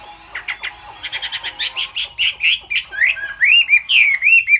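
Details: Hwamei, a female calling over and over to rouse the male into song: a rapid run of short repeated notes, then loud looping whistled phrases rising and falling, each slurred note distinct.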